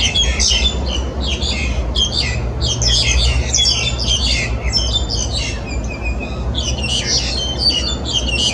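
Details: Several black-collared starlings in Yuen Long, Hong Kong, on 14 January 2018 chatter almost without pause in harsh, squawky, overlapping bursts, with a steady low rumble of traffic underneath.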